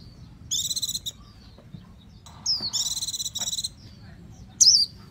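Japanese white-eye singing: two bursts of rapid, very high buzzy trills, each about a second long, broken by short thin whistled slurs.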